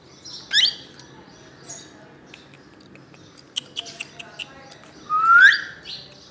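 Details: Plum-headed parakeet giving two loud calls, a sharp note sweeping up steeply near the start and a longer rising squeal near the end, with soft clicks and faint chatter between.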